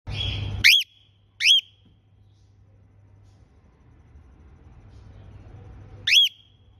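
A female cockatiel gives a few short, sharp whistles that sweep up and drop away.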